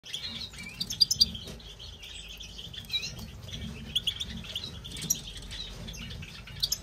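A European goldfinch chatters in quick, bright twittering notes, high and liquid, with a few sharp clicks and taps mixed in.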